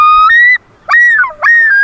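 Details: A common loon's yodel, a call used in stressful situations such as a predator or humans near its territory: a clear rising wail, then two loud swooping phrases that rise and dip, with a brief pause between.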